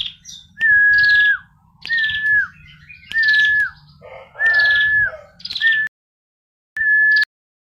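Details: Singing female bar-winged prinia delivers a sustained flat whistle ending in a short downward slur, followed by a brief buzzy burst, phrases coming roughly once a second, then cut short near the end.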